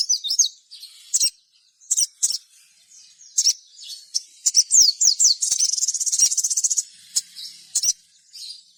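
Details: Sogon singing a lively lure song meant to prompt other sogon into song: high, thin chirps and quick downslurred notes, then a rapid buzzy trill over a second, followed by scattered sharp chirps.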